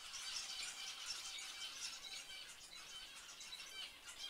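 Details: Inside an aviary birdroom, a crowd of finches keeps up a continuous high-pitched chatter of quick overlapping chirps, squeaks and trills, busy and unbroken throughout.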